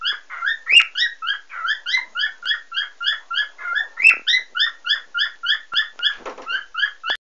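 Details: A happy cockatiel gives a rapid string of bright, chirpy whistled notes, about three or four each second.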